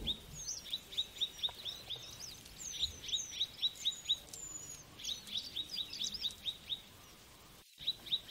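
Mrs. Gould's sunbird gives high, thin, rapid chips repeated about twice a second, with sharp higher squeaky notes above.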